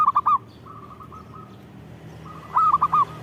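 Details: Perkutut (zebra dove) in full song: a bright rolling coo phrase, a quieter trailing series of soft coos, then another loud multi-note phrase, all at even mid pitch with light background noise.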